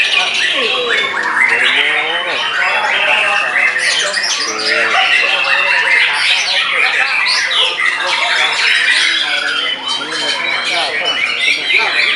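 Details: Captive white-rumped shama after moult, singing in a frenzy and silencing its rival. Rapid, dense medley of chattering notes, short trills and wavering whistles, delivered continuously at a driving pace.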